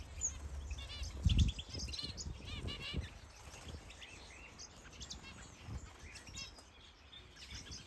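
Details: Various aviary birds such as canaries, goldfinches, Gouldian finches and partridges, many breeding, in a large green planted aviary in Denmark. Bright chirps and short warbled phrases overlap throughout, with low thumps from footsteps near the start.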